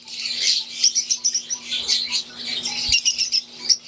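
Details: Caged Fischer's lovebirds, wild-type green and Euwing, in an aviary: a continuous jumble of high, scratchy chirps and squeals from many birds, pulsing in loudness, with a soft constant hum underneath.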